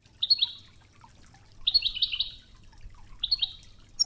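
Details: Toughza-style song of a Wedani European goldfinch, a training recording mixed with flowing river water: three bursts of quick, high, chattering twitters, the middle one longest, and a gentle continuous water rumble underneath.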